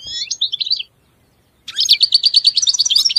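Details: Goldfinch singing a brief twittering phrase, then after a short silence a rapid run of evenly repeated high buzzy notes, about three per second, rising into a bright tinkling trill.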